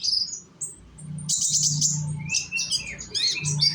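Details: Young sunbird in Indonesia, a lure to make birds sing: high warbled notes and a dense buzzy burst, then quick twittering phrases, over a noticeable low hum.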